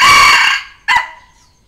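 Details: Red junglefowl crow used to lure and challenge wild junglefowl and to train decoy cocks: the loud harsh drawn-out end of a crow, a short pause, then one brief clipped closing note fading away. No background noise.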